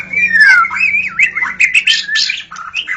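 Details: White-rumped shama song at dawn, used as a lure for wild shamas: a long sliding whistle falling then rising, followed by a rapid run of varied chirps and warbled notes, with a faint low hum beneath.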